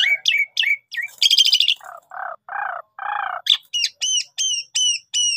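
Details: Javan pied starling pancingan song, full gacor: twanging upslurs, a buzzy burst, three low nasal croaking notes, then a regular series of about six bright chevron-shaped whistles.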